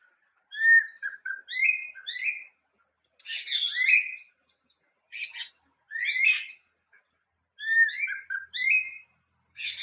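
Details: Greater racket-tailed drongo singing in separated phrases: quick bright whistled notes rising and falling, mixed with rasping, noisy bursts, each phrase lasting about a second with gaps between; this Asian bird can mimic other birds.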